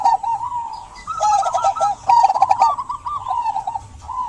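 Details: Local zebra dove, a persistent singer, cooing to prompt silent doves to sing: rapid warbling coos in a stuttering, bubbling series, running almost continuously, with faint clicking and rattling sounds over the top.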